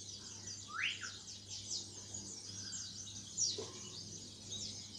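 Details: Caged greater green leafbird, kept for two months after a heavy moult and now beginning to sing freely: a busy stream of high, scratchy chirps and short sweeps, with one clear rising whistle near the start, over low steady hum.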